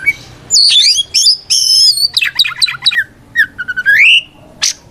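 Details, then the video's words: White-rumped shama fighting song used as bait to make rival shamas respond: long high whistled notes, a burst of rapid downslurred chatter, then lower whistles rising in a smooth upward slur and a final sharp note. "Suara Burung kacer gacor NGEPLONG tarung ini paling ampuh buat PANCINGAN KACER agar EMOSI Nyaut"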